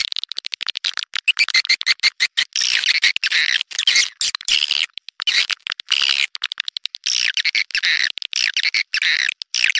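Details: Lure recording of swiftlet calls meant to draw swiftlets in: rapid, chattering high chirps and twittering trills, broken into short choppy bursts throughout.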